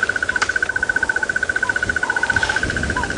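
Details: Crested barbet hiding in a tree beside a game-drive vehicle, Sabi Sand, South Africa, sunrise, December 2017; a continuous fast trill of identical pulses, about two and a half per second, with soft bird calls and light rustling behind.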